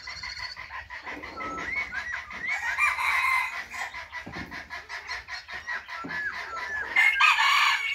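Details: Caged Chinese hwamei singing actively: a steady stream of bright, varied whistled phrases at middle-high pitch, swelling into louder rich bursts near the middle and again near the end, with soft clicking noises underneath.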